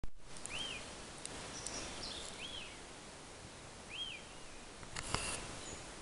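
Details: Magellanic woodpecker giving three faint, squeaky arched calls about two seconds apart, over steady rustling background noise with a few soft clicks, in Altos de Lircay Nature Reserve, Chile.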